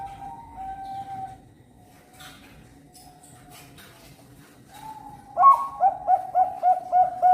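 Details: Captive Bangkok-line zebra dove, a national champion competition bird from a bird farm in Cirebon, Indonesia, hatched December 2021: soft low whistles, then a quick run of pulsed, ringing coo notes, about three per second, closing the clip.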